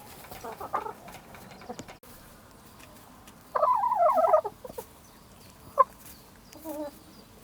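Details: Village hens in the countryside, a burst of hurried, jittery clucking notes around two seconds in, with scattered shorter clucks before and after over a low rural background hum.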